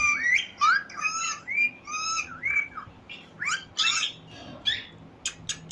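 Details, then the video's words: Parrot giving quick whistled chirps that slide up and down, several per second, ending in a few sharp clicks. "Parrot Chirping Sound | All Parrot Voice Together"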